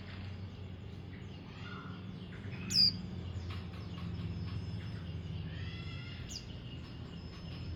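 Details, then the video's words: Mountain white-eye, an untrained young hobby bird, giving sparse high thin chirps with one sharp, loud, downward-sweeping note midway and soft twittering later, over a steady low hum. "pleci Monty bahan"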